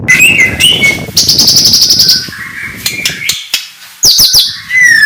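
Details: White-rumped shama in morning song, mixing high buzzy trills, clear whistled slurs and sharp clicking notes, with a soft background hiss.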